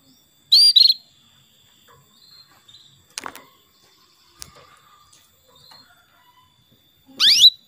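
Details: A female canary calls for the male, used to stir male canaries into song. One quick stuttering chirp opens and a steeply sweeping call closes, with near silence and a few soft clicks between.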